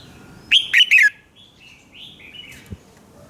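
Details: Red-whiskered bulbul singing in the morning, a 'fiery' training song used to coach other birds: one loud, sharp three-note phrase with sliding, warbled notes, then softer, faint trailing whistles and a single low tap.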